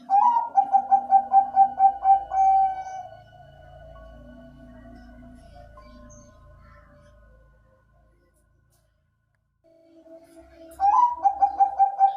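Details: Zebra dove (perkutut bangkok) cooing: a rapid run of soft, evenly spaced coos ending in a drawn note, then a long quiet stretch with faint low hum, and another fast burst of coos near the end.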